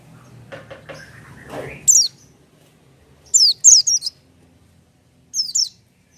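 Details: Soft low rustling and a rising squeak lead into an oriental white-eye's bright, high descending chirps, given singly and in quick clusters; said to sing without supplements.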